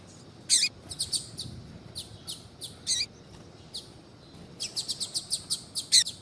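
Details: Female Double-collared Seedeater calls meant to spur a male to sing: sharp high chirps, singly and in pairs, ending in a rapid evenly spaced run of about eight notes, with soft background hiss.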